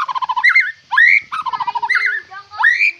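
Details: A White-rumped shama (Copsychus malabaricus) sings a rich, varied song: quick runs of low repeated notes broken by loud rising whistled slurs, every second or so.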